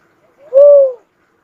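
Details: A single clear, mellow coo from a cuckoo-dove: one smooth, low whistled note that swells and gently falls over about half a second, in an otherwise quiet background.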